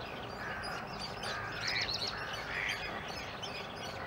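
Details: Young Eurasian coots with their caring parents, partly in the nest, at the Schützenweiher in Winterthur: brief clusters of thin, high piping notes, some higher and some lower, rising out of constant low background rumble.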